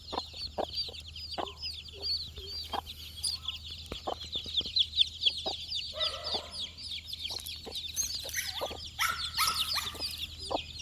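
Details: Four-day-old domestic chicks foraging for insects: a dense chorus of high, rapid peeps from many chicks, with scattered sharp tapping clicks and brief lower chirps.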